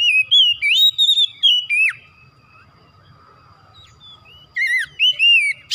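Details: Oriental magpie-robin song used as therapy to rouse a kacer into eager singing, loud rapid whistled phrases with rising and falling slides, a long quiet gap with a faint steady tone, then further whistles.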